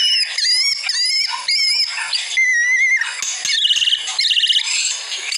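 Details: Training recording of white-rumped shama song: loud looping whistled phrases, clear upslurred notes, then fast stuttering chatter and buzzy trills, all delivered without a break.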